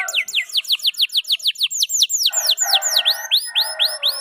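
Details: Canary of the F2YS type in a long, lively song: rapid runs of downward-sweeping whistled chirps, about two per second, shifting midway to higher, overlapping trills with a steady buzzy undertone.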